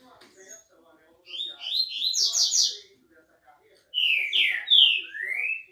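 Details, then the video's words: Green-winged saltator song in two phrases separated by a pause: first a run of rapid, rising whistled notes climbing higher, then loud slurred whistles ending in a long upward sweep; faint low murmuring between phrases. "TRINCA FERRO ,os melhores Cantos"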